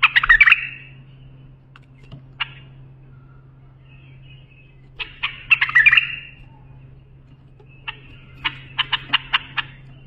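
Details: Bulbul singing phrases meant for teaching young bulbuls: two rich, rapid warbling bursts a few seconds apart, each fading into a drawn whistle, then a fast series of short sharp clicks and chirps, with a constant low hum behind.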